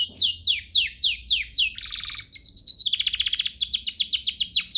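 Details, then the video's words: Master song from a canary for training other canaries: a series of sweeping downslurred whistles, a buzzy rattle, a held pure tone, then fast repeated trilled notes. "Masteran Mewah Spesial agar burung kenari cepat GACOR"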